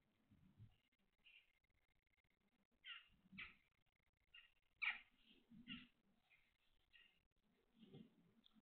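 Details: Grey tit family inside a breeding house on day 24, 6 June 2022, morning from 07:51: scratchy, rasping bursts of high calls every second or so, thin steady whistle, soft thumps and rustling in an enclosed space.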